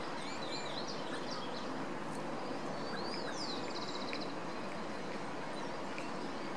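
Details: A narrow-billed woodcreeper in Buenos Aires, Argentina gives one quick, high, chattering trill of about a second, nearly buried under a steady roar of traffic or a passing train.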